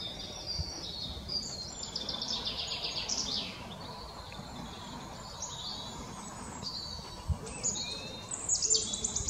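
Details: Male wood warbler singing at Dove Stone RSPB near Oldham, Greater Manchester, 11 May 2021. Several high, quick, rattling phrases sound against steady low background noise, with thin high notes near the end.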